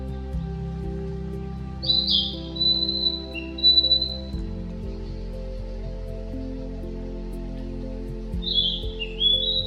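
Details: A male Narcissus flycatcher at Yatsugatake, Japan, gives two bright, high whistled phrases several seconds apart, sliding and warbling, over steady background music.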